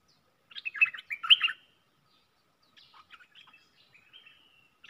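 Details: Decoy red-whiskered bulbul for luring gives a loud warbled phrase, then softer, more distant answering chirps and thin whistled notes follow.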